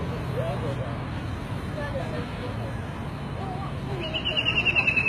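A White-throated Kingfisher gives a high, rapid whinnying trill that slides slightly downward near the end, over low background rumble and faint voices.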